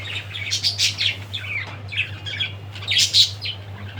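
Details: Budgerigar giving quick, high chirps and short warbled squawks in a continuous run, with a constant low hum underneath.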